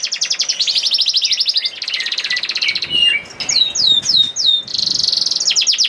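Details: Canary song played to get quiet canaries singing: dense rapid trills of repeated high notes, a brief rougher passage, a few spaced looping whistles, then another fast rolling trill.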